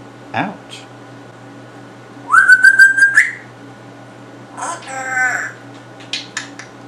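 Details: Pet male African grey parrot indoors in a home of gamers, a bird that picks up words and sounds quickly; a short rising whistle, then a buzzy harmonic phrase and scattered clicks, with a steady low hum behind.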